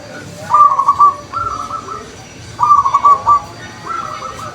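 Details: Wild zebra doves answering one another: short stuttering, trilled coos at a steady mid pitch, delivered in paired phrases about every two seconds against a quiet background.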